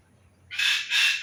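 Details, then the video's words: Bird calling after a brief quiet start: two loud, rasping, broadband bursts, the second one longer and slightly wavering, with nothing else clearly audible. "Hari Ini Dengarkan Suara Burung"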